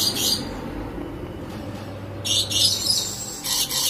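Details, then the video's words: Caged rainbow lorikeets during mating give harsh, noisy screeches in short bursts, one at the start and a louder cluster after a pause, with a faint low hum beneath. "Mengintip Burung Rainbow Lorikeet Kawin Dalam Sangkar"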